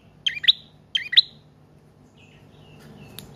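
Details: Prinia song used to attract wild birds and train caged ones: two quick bursts of sharp paired chirps, then near silence with only faint thin notes.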